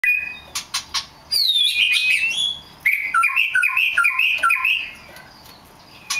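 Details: Rare black magpie robin singing: loud whistled phrases, a sweeping slurred run followed by a series of short rising and falling whistled notes, with a few sharp clicks before and a faint tone at the end.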